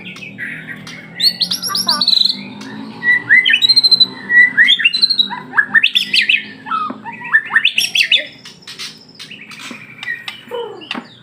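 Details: White-rumped shama song of clear whistles, buzzy trills and sharp rising slurs in irregular bursts, some phrases repeated in quick series, with soft background hum.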